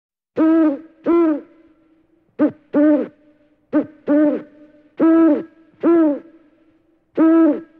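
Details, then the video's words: An owl gives about nine short, hollow hoots at a steady mid pitch, mostly in loose pairs a second or two apart, with quiet between. "how do the animals of the world sound? birds: peacock, ostrich, flamingo, owl, eagle"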